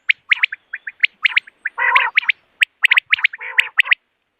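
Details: Common quail calling in the morning, recorded for hunting: sharp, clipped notes in quick clusters of two or three, about once a second, with short rough, croaking bursts between them.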